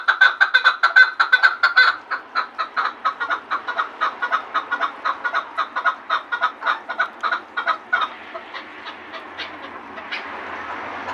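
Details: Chukar partridge from Gharm giving a long series of harsh clucking chuck notes, about three a second, loud for the first two seconds, then steady and gradually fading after eight seconds, with quiet background afterward.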